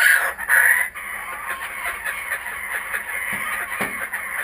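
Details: Kookaburras that have returned to the area give harsh, raucous chortling bursts at the start, then a steady, rough, cackling chatter that carries on at a lower level.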